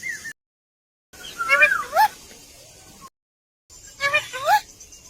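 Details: Pet ringneck parrots making funny talking sounds: two bursts of wavering, slurred tonal syllables with rising and falling inflections, separated by silent gaps.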